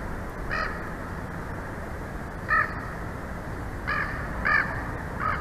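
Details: Wild bald eagles at their nest in Big Bear Valley, watched by a live nest cam on 18 November 2023 in mid-afternoon; five short, thin, high chittering call bursts spaced over a few seconds above a steady low rumble.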